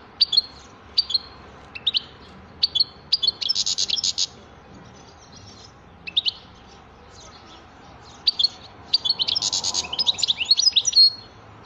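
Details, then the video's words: European goldfinch song mixing sharp high chirps with harsh buzzy, rasping bursts that each last about a second, delivered in irregular phrases with short pauses between them. "تغريد حسون رائع"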